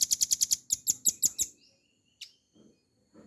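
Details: Velvet-fronted nuthatch in a tutor recording for cage birds. It gives a quick burst of sharp, high, ringing notes that slows into a looser series and fades. One isolated thin note follows after a pause, with faint low rustling.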